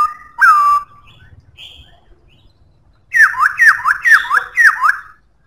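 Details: Powerful song of a black-throated laughingthrush: one bright down-slurred whistle, a pause, then a rapid series of six or so loud, ringing falling whistles delivered about twice per second.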